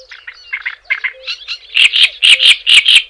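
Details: Java sparrow song, recorded to stimulate and tutor other birds: soft, spaced clucking notes build into loud, evenly repeated bell-like chattering pulses, with a faint low beep in the background.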